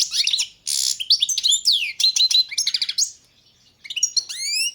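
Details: Lively, varied warbling from a European goldfinch, subspecies balcanica: a buzzy rasp, then fast tinkling twitters and long down-slurred whistles, a brief pause, then more rising whistled notes.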